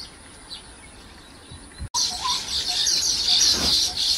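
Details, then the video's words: Baya weaver at its nest while weaving and attracting a mate: a dense, high, buzzy sizzling chatter sustained after a brief pause, with a few soft lower chirps and faint background noise. "Baya Waver Nesting... Attracting...Weaving"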